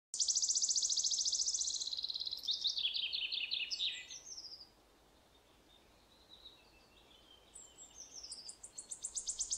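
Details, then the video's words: Wood warbler singing its accelerating trill, a high shivering run of notes ending in a buzzy flourish, then starting again after a short pause. "Sirittäjä laulaa(Wood Warbler singing)"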